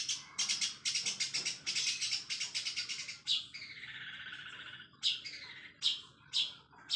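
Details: Long-tailed shrike singing at full speed with sparrow-like phrases, a lure for other shrikes: rapid run of harsh repeated chips, then a long descending whistled note, followed by scattered rasping bursts.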